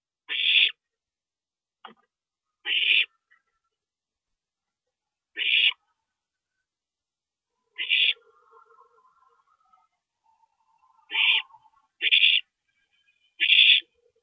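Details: Owl nest in the small hours, April 22, 2012, parent visiting: seven rough, breathy screeches at irregular intervals of one to three seconds, with soft scraping and faint tonal sounds in between.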